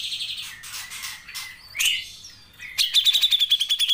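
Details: Cucak jenggot, the grey-cheeked bulbul, singing a lively tutoring phrase: buzzy notes and a short rising slur, a brief pause, then a fast, regular trill of high clipped notes to the end.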